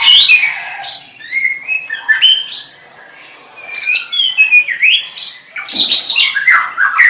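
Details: White-rumped shama delivering varied whistled phrases, slurred up and down, with a quiet pause in the middle and a loud harsh burst near the end.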